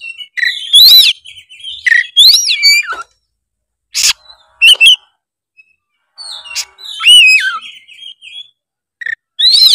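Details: White-rumped shama in full competition singing: loud looping whistles, rising slurs and sudden harsh bursts, phrases delivered roughly every few seconds with silent gaps between them.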